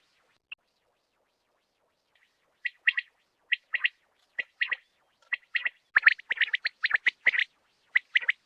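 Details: Common quail from the Pakistan quail-netting region: after a near-silent start, short bright clipped notes come in pairs and triplets, growing quicker and denser toward the end.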